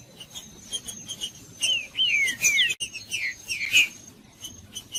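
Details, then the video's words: Green-winged saltator in the bush, its song used to prompt caged birds: after a soft start, a short burst of sweeping whistled notes bending downward, followed by quieter scattered chirps and a steady high tone. "O MELHOR VÍDEO PARA ESQUENTAR TRINCA FERRO COM TRINCA FERRO NO MATO"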